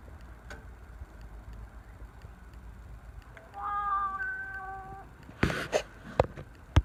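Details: Common raven at Heritage Harbor, Wrangell, Alaska, making strange sounds: one drawn-out, steady, nasal tone lasting almost two seconds, followed by a few sharp knocking clicks.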